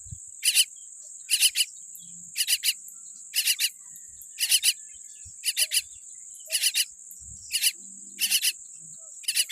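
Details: Young common myna chick, tiny with a weak beak, uttering raspy double and triple bursts at a steady pace roughly once a second, with a constant high-pitched whine and faint low knocks.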